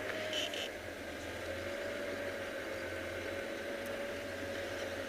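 Steady engine rumble and broadband vehicle noise with a faint hum, and no animal calls.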